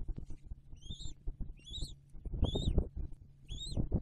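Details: Bald eagle with its newly hatched eaglet at the nest, December 2022: four squealing, arched whistle notes roughly one per second, with steady low hum and rustling beneath.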